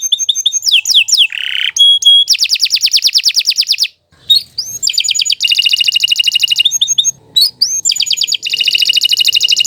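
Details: Canary in continuous song meant for training other birds. Quick varied whistled phrases and a rising slur lead into long, rapid trills. A short silence breaks it, then more rolling trills and chattering phrases follow.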